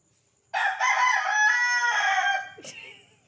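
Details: Rooster roaming a village street, crowing loudly: a harsh, harmonic-rich crow beginning abruptly and held about two seconds in several segments, then tailing off, followed by a brief sharp click and faint low background sounds.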